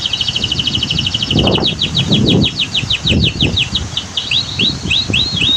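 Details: Canary song set against waterfall and dam ambience in a natural setting: a fast series of repeated, sweeping high chirps in quick, slightly uneven rhythm, with rushing water rumbling low underneath.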